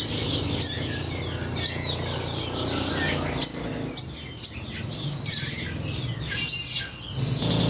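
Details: Tutor song of a Horsfield's bush lark for training birds: separate bursts of bright, high chirps and upslurred whistles, each about a second long, with short quiet gaps between them.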